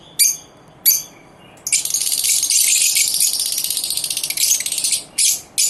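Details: Lovebirds singing together at dawn, November 19, 2023, indoors: two sharp high chirps, then a long continuous rattling chatter of fast buzzy notes lasting over three seconds, followed by more single shrill chirps.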